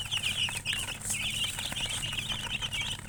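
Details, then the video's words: Loud, crowded chirping of colour chickens near a hen, with rapid high peeps running into each other almost without pause and a soft fluttering rustle mixed in. "silly chicken chirping sounds with murgi hen color chicken"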